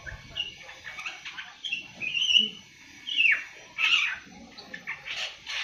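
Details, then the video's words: Young awar-awar, seven months old, beginning to sing: scattered short chirps and slurred whistled notes, some falling, in uneven bursts with pauses, over low background rumble. "Burung awar awar 7 bulan mulai ngriwik"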